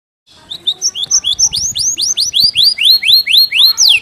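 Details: Canary singing in the fast, dense gelatik batu (tit) style: short high chirps build into a steady series of loud upward-sweeping whistled notes, about four per second, with faint background noise.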